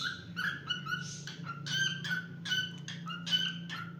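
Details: Pet cockatiel whistling short tonal notes and squeaks in loose phrases, partly overlaid by a steady low droning hum in the room.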